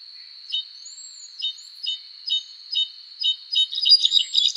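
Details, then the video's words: Azure-rumped tanager: short high chirps repeated roughly twice a second over a steady high ringing tone, then breaking into a quick, crowded twitter at the close, with a thin arched whistle behind. "Cabanis's Tanager Bird Song Video: Azure-Rumped Tanager"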